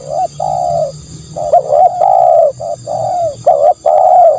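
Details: Decoy recording of spotted dove: soft, hollow coos, one drawn-out note then a tightly packed cluster of short and long coos. A low hum and a steady high whine run under the calls.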